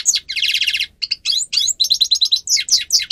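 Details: Grey-crowned goldfinch song meant for teaching birds to sing, opening with a harsh nasal buzzing burst, followed by rapid tinkling twitters and quick slurred notes in a busy, unbroken stream.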